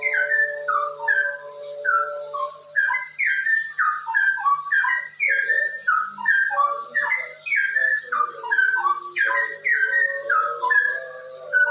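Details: Straw-headed bulbul (cucak rowo) in rapid 'ropel' song style, used to tutor and prompt other bulbuls to sing: a long run of loud, rich slurred whistles, mostly falling, tumbling one after another without pause, over a faint steady low hum.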